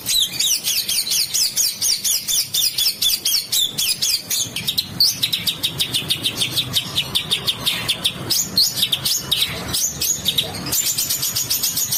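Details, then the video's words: Bird master song for training competition birds, described as rough, harsh 'besetan kasar' style with dense 'tembakan' bursts: rapid high-pitched chattering, repeated sharp notes and fast trills throughout, continuous and loud. "MASTERAN Burung Denagn Suara Besetan Kasar"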